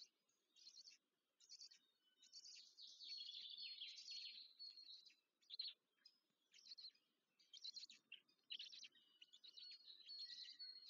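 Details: Black stork chicks begging while being fed at the nest near Łódź, Poland, on 14 May 2023; faint, high, rasping chirps come in bursts separated by short pauses, quiet throughout.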